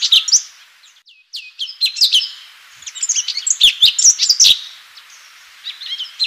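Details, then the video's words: 'Full tembakan' song of the cucak cungkok, the Orange-bellied Leafbird: lively high chirps and upslurred whistles, a busy rushing middle section, then a few scattered notes at the end. "Birds Song Cucak Cungkok FULL TEMBAKAN"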